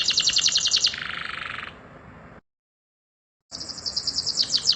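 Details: Canary song recorded as a master for training birds: a fast high pulsed trill fading into a softer buzzy rattle, a pause, then rapid repeated high notes resume.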